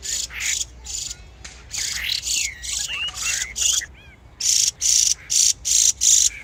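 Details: Singing spring birds: loud, rasping chirps repeated steadily about two to three per second, with a brief tangle of twisting whistled notes in the middle.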